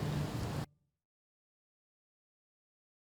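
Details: A brief burst of low rumbling noise lasting under a second, then silence; no animal voice.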